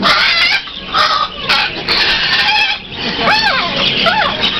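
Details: A Moluccan cockatoo at a flea market bird booth, very wound up, screams in loud, harsh bursts almost without pause, ending with a few rising-and-falling squawks over a busy background.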